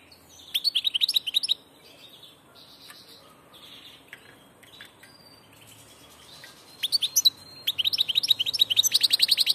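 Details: Passage goldfinch song: bursts of quick, jingling twitters separated by softer scattered notes, a thin whistle, then an energetic closing sequence of fast repeated chirps and rattling trills.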